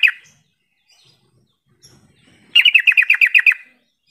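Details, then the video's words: Yellow-vented bulbul call intended to get lazy birds singing back: a single short note, a pause, then a quick series of about nine chattering notes. "Suara panggilan trucukan ini mampu mengatasi trucuk yang malas bunyi jadi rajin bunyi sahut sahutan"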